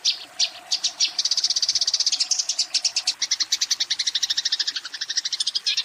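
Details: Eurasian tree sparrow fighting and calling a rival, giving a steady stream of quick, harsh chirps, roughly three per second at first and then faster.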